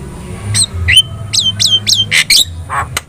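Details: Javan myna singing to draw responses from other birds: a run of clear downslurred whistles, about six in three seconds, ending with harsher squawky notes, low hum in background.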